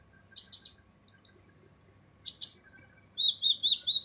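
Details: Sunbird known as kolibri ninja, harsh song used to train other songbirds: sharp high chips, a chain of thin whistles rising step by step, a shrill double burst, then four level, slightly buzzy notes, clean background.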